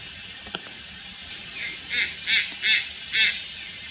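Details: Juvenile Malayan night heron at Lugu, August 4, 2022: after a brief click, four rough nasal calls in a tight series about every third of a second, set against a steady shrill insect chorus.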